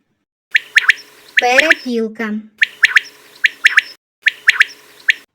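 Common quail giving sharp, liquid three-note calls, each phrase repeated about every second and a half, with a narrator's voice briefly talking over them.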